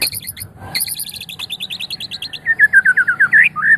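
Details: Medan white-rumped shama delivering rapid runs of short high chips, about four per second, then a lower series of repeated rich slurred whistles ending in a rising note.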